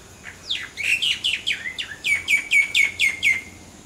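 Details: Common myna in non-stop song: a rapid, loud run of about a dozen sharp downslurred chirps, the first ones sweeping widely and the later ones repeated evenly at about two per second.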